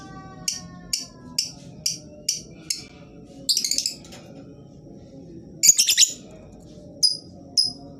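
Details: Lovebird calls used as a lure to get quiet birds singing: spaced, piercing single chirps about every half second, a short rattled burst, a harsh chattering cluster, then two thin clipped notes.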